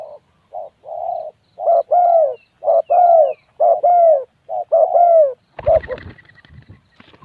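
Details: Low, soft coos from a spotted dove, grouped in twos and threes with brief gaps, repeated roughly every second, then cut off near the end by a sudden burst of loud rustling, crackling noise.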